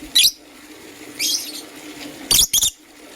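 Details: Green and blue lovebirds chirping in the morning: three short, harsh, high-pitched bursts, the last a quick double, with a faint steady low hum underneath.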